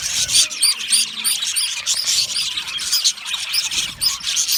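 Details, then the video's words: Lonely budgie calls, described as contact calling or distress; quick repeated high chirps, each a sharp rising-falling note, stand out above continuous warbling chatter. "Lonely Budgies bird loud sound | Budgie parrot chirping sound"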